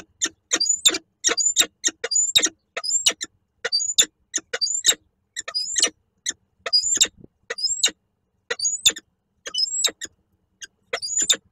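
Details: Peregrine falcons at a nest box in Koszalin, Poland, on 1 April 2023, the male arriving with food that the female refuses; harsh, rapid, high-pitched chattering calls in repeated bursts, a few per second, with brief pauses.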